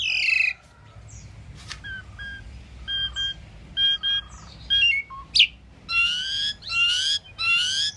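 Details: An Asian pied starling sings in a jumbled mix of squeaky whistles, short paired notes, a sharp click and loud harsh rasping phrases toward the end.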